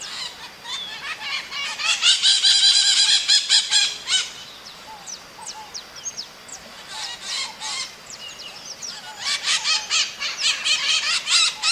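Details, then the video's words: Maritaca calling in nature: dense bursts of harsh, chattering squawks, a quieter stretch of scattered short notes in the middle, then another noisy rapid outburst. "Som de Maritaca cantando | Lindo canto da Maritaca | Vídeo Maritaca cantando na natureza (Maitaca)"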